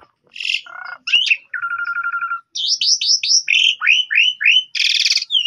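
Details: Asian pied starling song used to get young starlings singing back: a harsh buzz and a steady low trill, then evenly repeated squeaky slurred whistles, about two a second, ending in a rough rattle.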